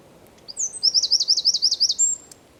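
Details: Eurasian wren singing in the San Miguel de Daño neighbourhood of Zamudio, 4 December 2019: a short, high-pitched phrase opening with a thin note, then a rapid trill of about eight rising-falling notes, ending in a thin whistle.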